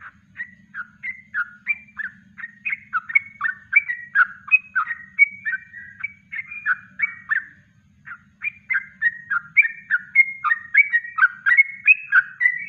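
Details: Yellow-vented bulbul (trucuk) in natural kongslet-style song, recorded as a master for training birds: a fast, continuous run of bubbly, warbling notes, several per second, with a short pause near the middle and a faint low hum.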